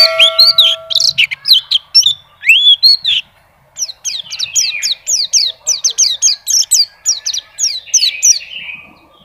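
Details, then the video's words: Indonesian champion contest white-eye singing nonstop, showing its song fill: varied high chirps and slurred whistles, a brief pause, then a long fast run of high descending notes. "PLECI NGACOR ‼️BONGKAR ISIAN"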